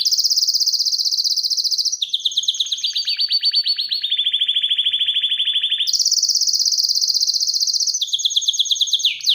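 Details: Excited canary in full song, a continuous run of rapid rolled trills that jump between pitch levels, high, then lower and falling, then high again, loud and unbroken throughout.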